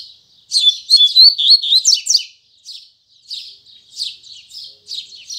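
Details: Double-collared seedeater singing firmly in the morning, Braddock style with tui tui zel zel phrasing: a loud fast run of whistled and buzzy notes for two seconds, followed by softer spaced chirps.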